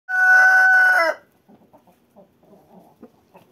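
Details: Cockerel crowing in winter while walking: one loud, sustained, harmonic-rich crow lasting about a second, ending with a brief falling note, then faint scattered low sounds.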